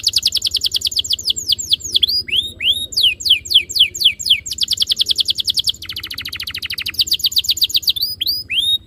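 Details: Canary song played as a lure for canaries to start rolling song; high rapid trills mixed with looping swept whistles, a brief lower rattling trill, then more quick downswept notes.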